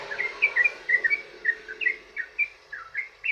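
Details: Sooty-headed bulbul in long rapid song, played to coax other bulbuls into answering: clear liquid whistled notes, each slurring up or down, spaced about every quarter second.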